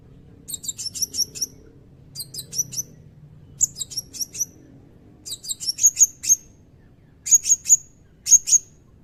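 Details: Blue-crowned hanging parrot in full song, delivering a long 'cililin' fill-in meant for tutoring magpie robins and white-rumped shamas; repeated clusters of three to five sharp, very high chirps, some ending in brief whistled notes, over a quiet background.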